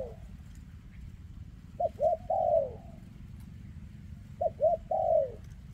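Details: Spotted dove with a leg defect, recorded 2024, delivering two cooing phrases about three seconds apart, each made of two short choppy coos and a drawn-out, downward-sliding coo, over a low rumble.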